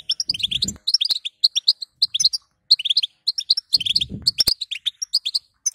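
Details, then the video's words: European goldfinch female giving calls meant to excite a male to sing; lively high chirps and twitters in clustered runs, broken by brief gaps, with soft low thumps in the background. "بتبته حسون لتهييج ذكر"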